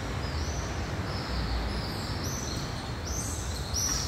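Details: Pallid swifts flying over downtown Thessaloniki, Greece, on 20 July 2023, giving thin, high, buzzy screams in several short bursts over four seconds, above a steady low rumble of city traffic.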